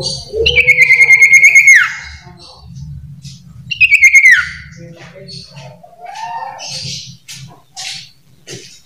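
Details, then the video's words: Common iora singing a varied, lively song: a loud trilled whistle held level then sliding down, repeated after a pause, followed by softer warbled and chattering notes, over a steady low hum. "SUARA BURUNG SIRTU/CIPOH/CIPOW GACOR VARIASI"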